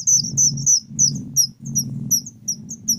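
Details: Whistling thrush chick calling loudly: shrill high chirps with downward flicks, less evenly spaced, over a steady low rumbling hum.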